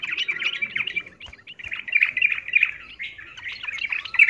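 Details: Female yellow-vented bulbul calling a male while in breeding condition, miyik call: an unbroken, jumbled chatter of quick warbled chirps at a fairly even pitch, with a few soft low taps.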